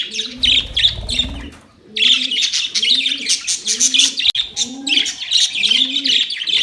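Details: Constant high, twittering chatter from playing budgies runs over a steady series of low, rolling coos repeated roughly once a second.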